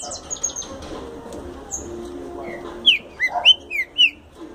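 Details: A green-winged saltator, described as a future champion, bursts into its rapid explosão song after a quiet start: five or six loud downslurred whistles packed into about a second and a half.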